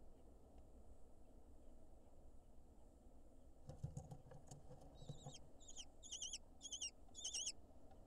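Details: Lesser kestrel at a nest in Israel as the male brings an insect to the nestlings. About six sharp, high, chevron-shaped calls come in quick succession over the last three seconds, after soft scuffling clicks, over a low rumbling background.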